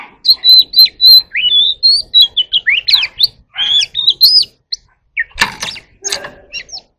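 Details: Magpie-robin in voice training delivers a rapid series of bright whistled notes with quick slurs, followed by a couple of harsh, scratchy bursts and softer calls.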